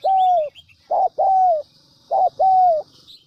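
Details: Spotted dove cooing from a lure recording used to make wild doves respond: a long level coo, then two short notes each followed by a sustained slightly falling coo, with faint distant chirps.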